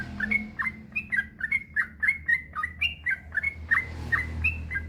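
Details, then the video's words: Male yellow-vented bulbul in full, long continuous song, used as a master recording to get other bulbuls singing: rapid, bubbly chattering of short slurred notes, fast and uneven, about four notes a second, with faint low background hum. "Suara burung trucukan gacor ropel panjang"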